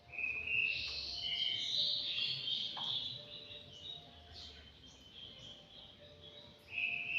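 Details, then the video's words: Five-month-old anggungan kept in an aviary: a strong run of high, tumbling whistled notes for about three seconds, fading into softer chirps, then a renewed clear whistle at the close. "BURUNG ANGGUNGAN USIA 5 BULAN"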